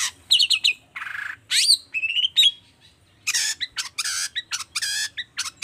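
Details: A long-tailed shrike's energetic song, meant to provoke other shrikes to answer. Rapid scratchy chatter, a buzzing rattle, whistled slurs and loud harsh rasping bursts follow one another in quick succession.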